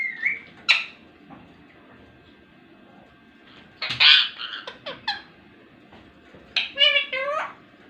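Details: Indoor ringneck parrot producing scattered chirps, harsh speech-like bursts and a closing run of stacked syllables, over faint room noise.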